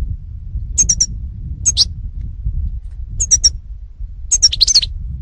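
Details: European goldfinch, recorded in 2018: four short bursts of high, thin twittering notes, each a quick cluster of two or three chirps, separated by pauses over a steady low rumble of background noise.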